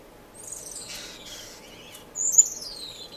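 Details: Finches singing in an indoor, non-breeding community aviary in Edmonton, Canada, filmed in March 2015: high, thin descending whistles and soft chattering notes, a brighter sliding phrase in the second half.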